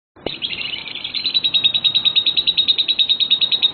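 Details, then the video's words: Lovebird pair in a singing test: a steady, rapid high chattering trill of evenly repeated notes, about three per second at first, then speeding up, held without a break. "Pair Lovebird School LBF Test Singing"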